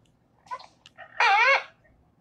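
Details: American coot call from a marsh bird talk about Wisconsin: a few soft clicking notes, then one loud, nasal, wavering honk about half a second long, with a questioning tone.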